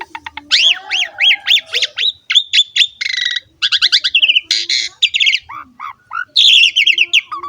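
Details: Full, varied jalak suren song used to stimulate young Asian pied starlings to sing: repeated arched whistles, rattling note series and harsh squawky bursts, ending with short descending whistles.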